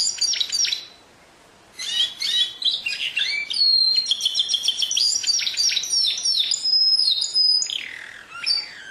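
A canary sings a bright, rapid stream of high trills, chirps and sweet whistled notes, with one short pause near the start.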